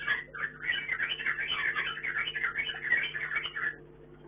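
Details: Chinese hwamei kept for breeding in a hanging cage, delivering a dense, unbroken stream of rich warbled and whistled phrases for nearly four seconds before trailing off, over a steady low indoor hum.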